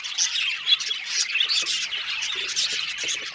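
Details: Colony of budgies in an aviary producing rapid, irregular chirps roughly twice a second over a backdrop of warbled chatter from many birds.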